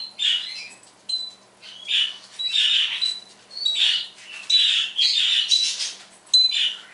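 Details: Indoor pet parrot in a lively morning mimicry session: clusters of high, scratchy squawks mixed with short pure beeps, uneven in rhythm, about seventy bursts a minute.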